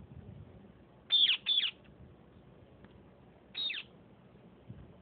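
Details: Sindhi parrots in a fight give shrill screeches: two harsh, downward-sweeping shrieks in quick succession, a pause of about two seconds, then a third similar shriek, over soft background noise.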